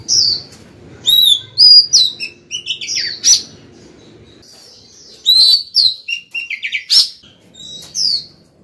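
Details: A female Oriental magpie-robin sings to call a male, giving bursts of varied, clear whistles and sharp chirps, high and quick, with short pauses between phrases and a faint low hum beneath.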